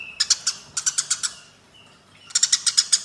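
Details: Eurasian tree sparrows fighting: bursts of sharp, high, harsh chirps repeated about four per second, a brief quiet pause with a faint thin whistle, then another rapid chirping burst.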